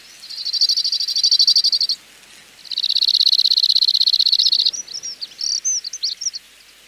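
Two flat, dry rattling trills of rapidly repeated high notes, each about two seconds, followed by a few thin twittering notes.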